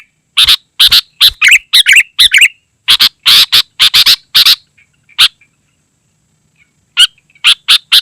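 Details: Kutilang, the sooty-headed bulbul, delivering a burst of loud rasping notes and short gurgling warbles, then a near-silent gap with faint chips before the harsh notes return.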